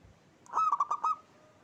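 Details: Local zebra dove, a lively lure recording in the 'klauw ketek kuk kuk' style: five quick, hollow, evenly spaced cooing notes in under a second, level and mellow, over a quiet background.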